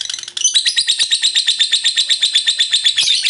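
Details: Lovebird ngekek chatter, long and shrill, used as a lure to provoke other lovebirds to sing; after a short opening note, rapid buzzy pulses repeat about four times a second at a steady high pitch.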